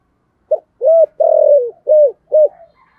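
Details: Caged decoy spotted dove calling in the thổ voice style with two end notes at the start of 2023: five clean, low, hollow coos, the middle one long and drawn out, evenly spaced over about two seconds.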